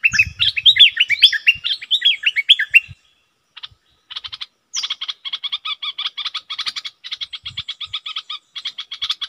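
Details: Decoy Red-whiskered bulbul with its call, double and 'rik' sounds: an opening run of quick descending whistled notes, a pause, then a long train of rapid, dry, buzzy chatter notes repeated in uneven bursts.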